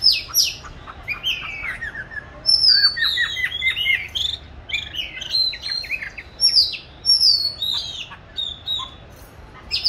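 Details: Caged oriental magpie-robin in training, recorded 22 March 2021: bursts of varied whistled phrases and chattering notes separated by short pauses, moderately loud.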